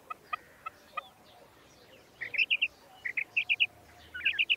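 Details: Female common quail calling: a few isolated soft clicks, then bursts of two to four quick, bright, chirping notes repeated about once a second over a quiet background.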